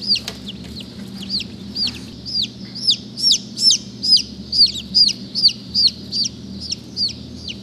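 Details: Black Langshan baby chicks calling: loud, clear, high-pitched descending cheeps in a fairly regular series, roughly two or three per second, with a faint low hum beneath.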